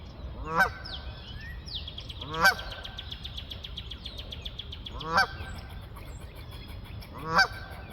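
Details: Honking geese in flight: four evenly spaced, brassy honks roughly two seconds apart, while small birds trill in falling high-pitched series between them.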